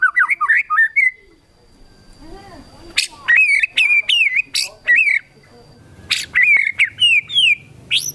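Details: White-rumped shama singing actively, its song filled with imitations including the sooty-headed bulbul. Loud, varied whistled phrases swoop up and down between sharp, explosive notes, separated by short pauses, over a faint steady high tone.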